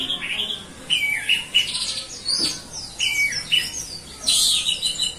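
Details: Female orange-headed thrush calling as a lure, a string of short, sweet whistled phrases and chirps that rise and fall, with brief pauses between bursts.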